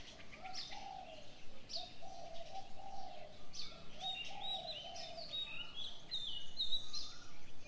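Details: Birds singing in the morning: a series of mellow low coos repeats through the first half, then quick high whistled chirps grow busier toward the end over a quiet rural background.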